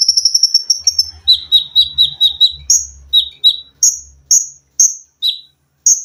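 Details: Olive-backed sunbird used to train cage birds opens with a fast sewing-machine trill, then gives a run of sharp high chips spaced about half a second apart, with a low background hum.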